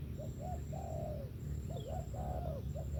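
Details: Spotted dove singing: short coo notes leading into a longer sustained falling coo, the phrase repeated, with a constant low hum beneath and a faint high tone.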